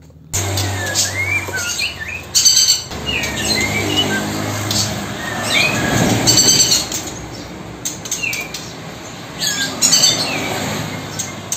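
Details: A young female White-rumped Shama, about three to six months old, gives thin, shrill, slurred whistles, short and scattered every second or two, over a low hum and faint music; females sound smaller-toned and shriller than the rounder, bassier males.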